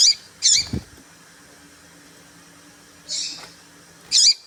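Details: Female papa-capim seedeater piping, meant to provoke males: two quick high chirps, a low thud, a pause of over two seconds, then one hoarser chirp and a final sharp one.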